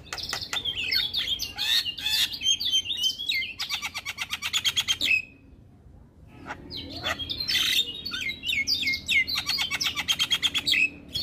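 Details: Male Javan myna singing vigorously as a tutor recording: dense bursts of rapid chattering and rattling notes mixed with squeaky whistles, a brief pause near the middle, then more fast chattering phrases ending in a clear whistle.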